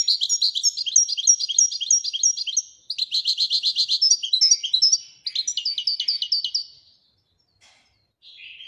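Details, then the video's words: Moroccan European goldfinch singing in the Widani song style: rapid, high twittering trills in three bursts of about two and a half seconds each, with short gaps between them, then a softer brief phrase at the end. "الحسون المراكشي لغة الويدانية"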